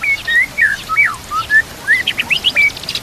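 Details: White-rumped shama song used as a training master: clear whistled notes sliding up and down around a steady pitch, mixed with quick high chirps and trills, rising and falling phrases over a soft natural background.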